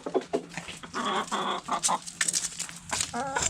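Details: Backyard chickens at food scraps, giving loud, sustained nasal squawks and clucks in quick bursts, overlapping with sharp pecking and scratching noises.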